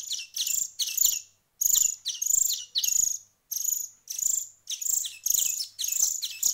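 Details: Begging from finch chicks a week into hand feeding: shrill, buzzy double and triple chirps in close groups, repeated roughly every half-second, with brief silent gaps between runs.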